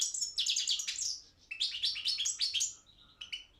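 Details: European goldfinch, subspecies balcanica, singing for an internet goldfinch song championship: dense tumbling phrases of sweet high twitters and quick trills, with a brief dip, ending in scattered short chirps.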